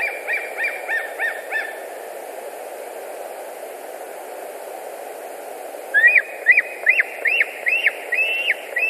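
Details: Afternoon at a white-tailed eagle nest in Latvia, 10 August 2019: a faint burst of quick yelps, several seconds of quiet hiss, then a louder rising series of arched yelping notes at a brisk pace.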